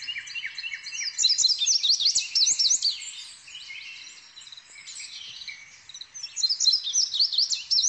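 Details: Indigo bunting (Passerina cyanea) song in bright, high-pitched bursts of quick sweeping and zigzag notes, chattering for about two seconds, pausing, then starting again near the end.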